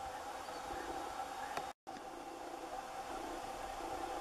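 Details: Quiet broadband hiss with a steady faint tone, a brief click and a short dropout, and no bird or other animal sounds.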